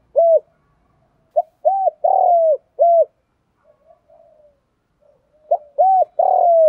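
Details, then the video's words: Spotted dove cooing, a recording used to rouse decoy doves in training. Two phrases, each a short note, a rounded coo, a long burry descending croo and a final coo. A faint softer cooing sits between them in a quiet setting. "tiếng chim cu gáy kích bổi"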